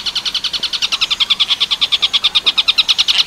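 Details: Tengkek buto style song from a long-tailed shrike, made as a master for teaching other birds: quick, bright, repeated notes in a steady rattle, growing slightly stronger toward the end.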